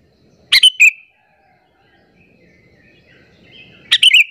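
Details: Lure call of a chatty sooty-headed bulbul, meant to provoke rival bulbuls: two short clipped chirp phrases separated by about three seconds of quiet, with faint low background murmur between them.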